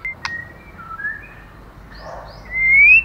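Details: White-rumped shama female stimulating the male, giving soft, drawn-out whistles that end in a louder rising whistle, against a faint background hum.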